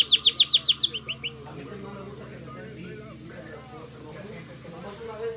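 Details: White Timbrado canary from California singing: a loud burst of rapid, evenly repeated bright notes for about a second, then quiet with faint low murmuring and background hum.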